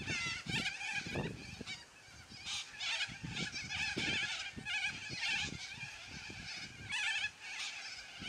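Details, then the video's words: Over eight seconds, a noisy yellow-crested cockatoo flock keeps squawking loudly: a steady stream of harsh, screeching calls in rapid overlapping bursts, with low thumps and rustling beneath. "Noisy Yellow Crested Cockatoos Take Over!"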